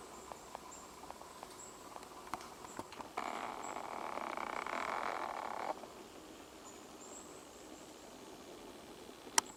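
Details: Female great spotted woodpecker (Dendrocopos major hondoensis) pecking an oak (Quercus serrata) branch in Japan in mid-July 2012: soft irregular taps, a few sharp knocks about half a second apart, scraping and rustling midway, faint high insect hiss.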